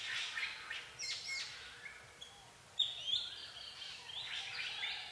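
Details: Forest birds at Phu Sing, Sisaket, Thailand, a busy chorus of high chirps, thin whistles and buzzy notes overlapping almost continuously.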